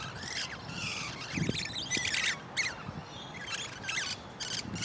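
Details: A wild pair of musk lorikeets (Glossopsitta concinna) in a large pepper tree give shrill, screechy, rapid high chattering bursts, repeated every second or so, over a steady background hiss.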